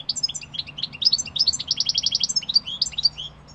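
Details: European goldfinch singing a fast, continuous twittering song of high chirps and liquid trills, with a brief buzzy stuttered run in the middle; a faint low hum sits underneath.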